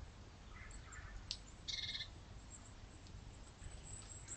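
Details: A pheasant on November 2, 2022 gives a single short, harsh, rasping call after a fainter scratchy note, over a steady low rumble of background noise.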